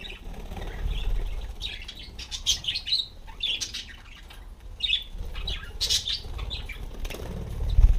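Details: Budgerigars perched on a homemade bicycle wheel that turns under their weight; scattered short chirps and squawks come in clusters over soft wing flutters and low rumbling background noise.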